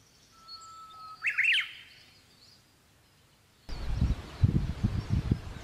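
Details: Japanese bush warbler after rain on 19 May 2020: a long level whistle ending in a burst of quick, high, slurred notes. Later, loud low thumping and rumbling noise takes over.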